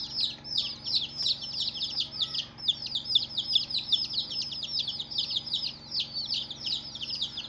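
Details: Day-old baby chicks cheeping loudly: rapid high-pitched downward-slurred peeps, roughly two or three each second from several birds at once, in an otherwise quiet room.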